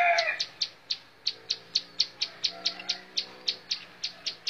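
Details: Bar-winged prinia in montal mantul song: an even series of sharp high chip notes, roughly four per second, after a brief lower warbled note at the very start; faint low steady hum behind.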